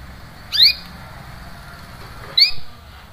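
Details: Canary calling 'cuit cuit', used to stimulate a silent canary to sing again: two loud upward-sweeping chirps roughly two seconds apart over faint background hiss.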